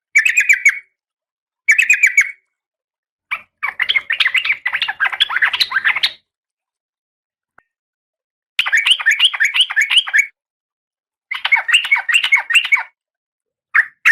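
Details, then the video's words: Oriental magpie-robin, a female in breeding condition calling to a male, kept as a cage bird. Harsh, buzzy bursts of rapid chattering notes in clusters of one to two seconds, separated by short silences. "Suara Kacer Betina"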